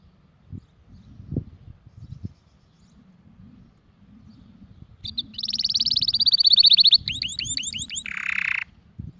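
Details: Canary song used to teach chicks and to stimulate pairing: after about five seconds of low background rumble, a fast loud trill breaks in, followed by looping whistled notes and a harsh buzzy ending.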